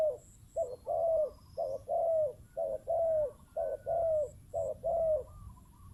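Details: Decoy spotted dove cooing steadily: a brief quavering note, then a drawn-out descending croo. The pairs repeat roughly every second with little else behind them.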